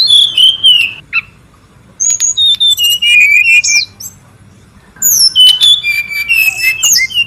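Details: Noisy brown-chested jungle flycatcher in the wild, recorded as lure and tutor material: high whistled notes and short trills in two bursts separated by about a second of near silence, then a dense tangle of whistles.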